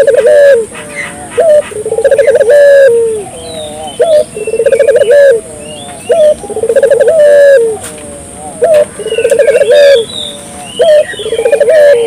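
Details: Spotted dove played to prompt local doves to call: repeated phrases of rapid, trilled low coos, each ending in a longer sliding note, with high twittering birds and a steady background hiss.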